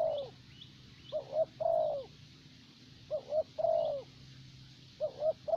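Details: Caged spotted dove used as a lure in Vietnam, 'thổ bầu' voice, repeating its phrase roughly every two seconds: two short coos then a drawn-out mellow note, steady and even.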